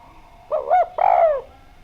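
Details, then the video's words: Javanese spotted dove (derkuku Djawa) singing actively with a clear voice, used as a lure to make other doves call: one soft two-part coo, a short rising note then a longer falling croon, over a faint steady hum. "Derkuku Djawa Gacor Suara Bening, Pancingan Bikin Ngeplong"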